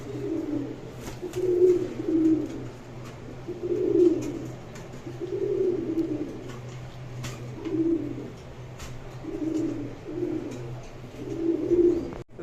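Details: A male crested Golden Swachandra pigeon at a farm in Kashimpur, Gazipur, coos in deep, throaty rolls repeated every couple of seconds; it is a strong caller.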